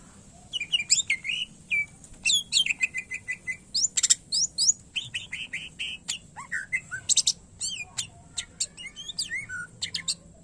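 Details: Greater green leafbird (cucak ijo) in lively continuous song: rapid repeated whistled notes, sharp chips and rattling trills over a constant faint high hiss.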